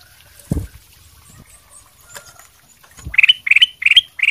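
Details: Golden silk variety sooty-headed bulbul singing to draw answers from other birds; a few low thumps come first, then four evenly spaced bright chirped notes, roughly three per second.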